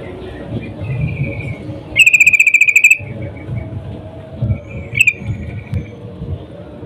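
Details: Female yellow-vented bulbul in breeding condition calls a male; a thin steady whistle, then a fast metallic rattle of about ten notes lasting a second, then another faint whistle over low rumbling.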